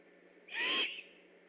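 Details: Single rasping screech from a great horned owl, vocal and on alert at night near the Decorah eagle nest on 3 October 2015; breathy, hissing, about half a second long, over faint constant noise.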